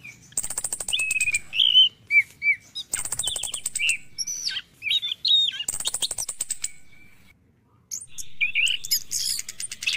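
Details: Orange-headed thrush song in the morning, used as a lure to stir caged birds into singing. Sharp whistled slurs and twisting notes mix with bursts of fast, dry, high rattling trills, with a brief quiet gap before the song resumes.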